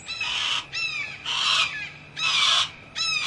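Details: Harris's hawk squawking: long harsh rasping screeches, each about half a second to a second, repeated about once a second with short gaps.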